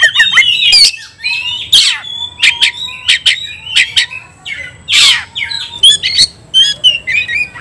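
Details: Oriental magpie-robin delivering a provoking fighting song: scratchy harsh bursts interspersed with pure drawn-out whistles and short warbles, phrases separated by brief pauses.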